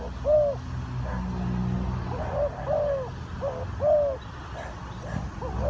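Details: Spotted dove from a bird-trapping setting in Ninh Thuận, Vietnam, giving a series of soft, low coos, short and slightly longer notes about once a second, partly masked by constant low hum and rumble.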